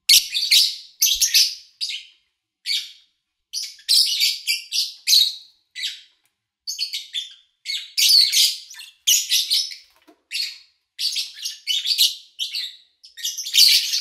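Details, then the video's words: Lovebirds recorded morning to evening over three days in August 2019; near-continuous harsh, scratchy chirping in rapid irregular bursts, several birds calling at once, with no other sounds. "Sounds of Lovebird Chirping"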